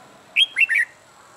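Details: Red-whiskered bulbul, a wild-caught bird in its first months of cage life being trained to sing a fighting song, delivers one short clear phrase of three rich whistled notes, rising then dropping, over a quiet background.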